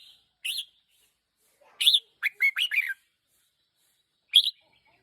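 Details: One-year-old decoy red-whiskered bulbul giving scattered high, sharp chirps and a brief burst of several quick squeaky notes, with pauses between.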